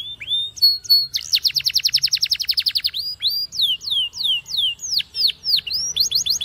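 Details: Spanish Timbrado canary singing a training song: rising whistled notes lead into a long, very fast metallic trill, followed by a series of loud, clear, falling slurred whistles repeated roughly twice a second.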